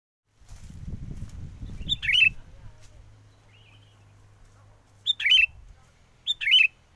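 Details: Sooty-headed bulbul lure song for trapping birds, recorded in strong wind: three short, bright, warbled phrases, the first after a burst of low wind rumble and the last two about a second apart.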